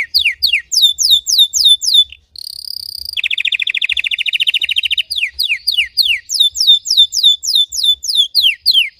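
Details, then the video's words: A red Belgian canary sings a deep, intense song used for training: rapid repeated downward-sweeping chirps, then a brief steady buzzy note and a fast, even trill lasting about two seconds, before the quick sweeping notes return. Faint low thumps sound underneath. "Canário belga vermelho canta muito gargata profunda e intensa para treinar"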